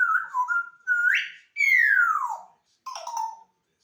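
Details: Pet African grey parrot kept indoors, a frequent talker; loud whistled phrases, a wavering note, a rising swoop, then a long clear descending whistle and a short final warble.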